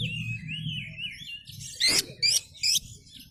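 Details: Oriental magpie-robin in full lure song, tail spread: a long wavering whistle drifting up and down, then three loud harsh rasping bursts spaced about half a second apart, over faint low hum.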